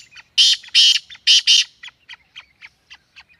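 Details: Black francolin calling in Sindh, Pakistan: four loud, harsh, rasping bursts in quick pairs, followed by a steady train of soft clicking pulses about three per second.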